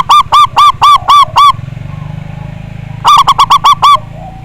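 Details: Local Indonesian zebra dove with a big voice, used to provoke rival birds into singing: a loud, harsh run of six evenly spaced cooing notes, a brief pause, then a quicker burst of six more, over low background hum.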